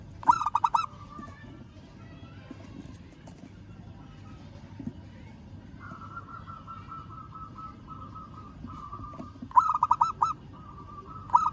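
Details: Local zebra dove calling a rival: one quick burst of staccato coos at the start, then a long quiet stretch with a faint steady drawn-out tone, and two more rapid cooing phrases near the end.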